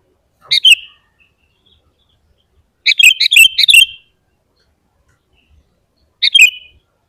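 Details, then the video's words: Sooty-headed bulbul singing actively, a lure to make other bulbuls sing: brief bubbly phrases separated by long silences, a single liquid note, then a four-note burst, then another single note. "SUARA BURUNG KUTILANG GACOR Paling Ampuh untuk Pancingan dan Masteran Bikin Kutilang Ribut"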